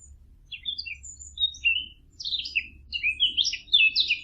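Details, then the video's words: Bird song of varied whistled chirps and slurred notes, growing louder and busier in the second half, over a low background hum. "نصف ساعة من صوت العصافير الجميل ، Yarım saat kuş cıvıltısı ، Half an hour of birds chirping"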